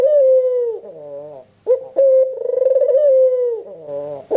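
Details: Barbary dove, albino with red eyes, cooing vigorously to encourage other doves to answer. Sustained low coo fading downward, a muted nasal rising phrase, sharp onset, then a long trilled coo throbbing rapidly before falling away.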